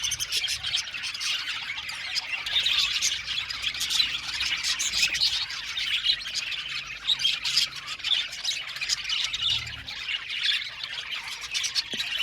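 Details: Budgerigars, an Australian parrot colony in an aviary, chattering together in a dense, continuous wash of high chirps, squawks and warbles with no pauses, many birds overlapping throughout.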